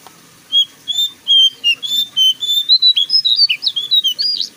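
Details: Lively bulbul song played to lure newly kept captive bulbuls into singing: a fast, varied string of clear whistled notes, some held, some sharply slurred up and down, quickening into a busy chattering run toward the end.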